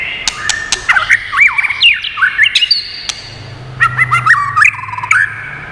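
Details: White-rumped shama singing many voices for training and stimulating birds: two lively phrases of looping, swooping whistles with sharp clicks, a low hum beneath the second.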